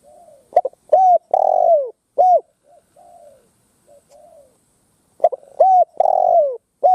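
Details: Ground lure Spotted dove cooing to incite wild doves to fight: loud full coo phrases with stuttered starts and a long falling note, repeated after a pause filled with softer, more distant answering coos.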